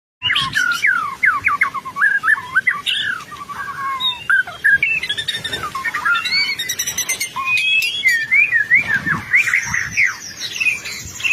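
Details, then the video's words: White-rumped shama, a lively singing bird kept for song training, pouring out a long, varied song of whistled notes, rapid chattering trills and sweeping slides, loud and nearly continuous throughout. "MASTERAN BURUNG MURAI BATU GACOR"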